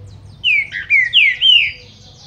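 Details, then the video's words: Captive Green-winged saltator of the Paraná clean-song type, warming up after a quick feather molt: four loud, clear whistled notes in quick succession, each sliding and slightly rising, over a faint low hum. "TRINCA-FERRO PARANA LISO ESQUENTANDO (APÓS REPASSE DE PENA)"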